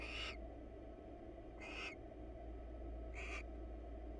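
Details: Nest-box pair of wild barn owls preening each other's feathers; three rough, hissing screeches spaced about 1.5 seconds apart, with a persistent low mechanical hum.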